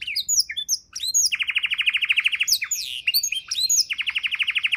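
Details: Canary with a rich 'isian' fill-in song, used as tutor material for songbirds: quick high whistled sweeps, then a fast buzzy trill of even pulses, more sweeping notes and a second rapid trill.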